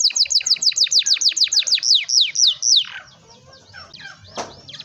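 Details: Canary song played to prompt young canaries: a steady series of about a dozen descending whistled swoops, about three per second, then fading into softer scattered notes with a brief click.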